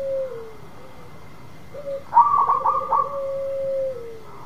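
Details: A vigorously singing local zebra dove lures a dove that has gone quiet. Low sliding coos frame a loud burst of rapid stuttered notes, which ends in a long, level, lower tone that falls at the end. Steady hum behind.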